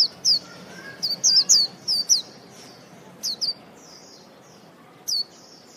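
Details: White-eye singing sweet, high, down-slurred chirps in quick bursts with short gaps between them, over steady low background noise.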